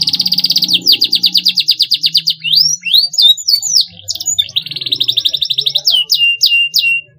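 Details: Canary song intended to stimulate young canaries to sing in 'gacor fighter' fashion: rapid trills alternating with looping whistled slurs, then another fast rattling trill and a few sharp falling chirps at the end.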